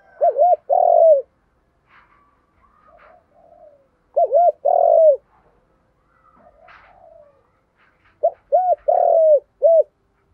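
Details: Spotted dove cooing in the 'giọng đồng' style, a training lure for decoy and freshly caught birds. Three phrases about four seconds apart, each with paired short notes and a longer coo. Faint thin calls from other birds sound between phrases.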